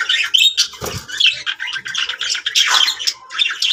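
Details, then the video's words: Pet budgerigars chatter happily and continuously in high, scratchy warbles and chirps, with sharp squawks and a brief thump, in a small indoor room. "Happy budgies sounds"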